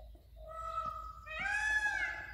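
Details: White peacock, an Indian peafowl, during a dancing courtship display, giving a nasal, harmonic call that swells and rises in pitch midway through, with a faint hum in the background.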